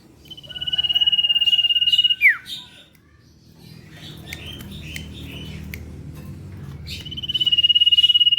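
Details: Common iora in full 'ngetir' song, used as a lure. A long pulsed high whistle drops away in a falling slur, followed by scattered short chirps, then another sustained trilled whistle begins.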